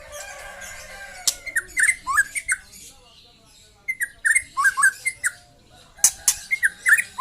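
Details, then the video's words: Young white-rumped shama delivering trotol song: three bursts of fast, staccato whistled notes, each a brisk string of slurred chirps with sharp clicks, separated by brief quiet gaps. "KICAU BURUNG MURAI MUDA LEPAS TROTOL"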